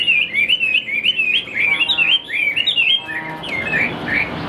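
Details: Caged Chinese hwamei kept as a songbird, singing a rapid run of loud, clear whistled phrases that swoop up and down, the notes tumbling quickly one after another, with a softer, more scratchy warble near the end.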